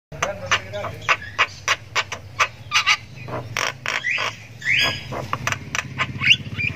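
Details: Javan myna chick chirping at length while learning to make sounds; a rapid series of short, harsh, broadband chirps with a couple of longer rising squawks, over a low steady hum.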